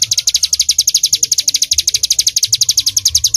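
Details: High, rapid chip series from a bar-winged prinia in 'tembakan' song, notes tumbling out roughly twelve per second in an even, pulsing stream.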